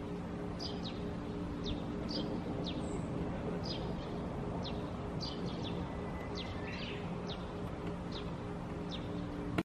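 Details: Dusky thrush in a park on a March morning, giving short, sharp high calls repeated at irregular intervals about every half second to a second, over a steady low hum of background noise.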